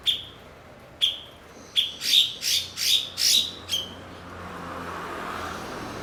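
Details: Blue-winged leafbird, a fluent mimic kept as a master bird for teaching other songbirds: two spaced sharp chips, then a rapid string of loud harsh scratchy notes ending in a thin chip, followed by low rumbling noise.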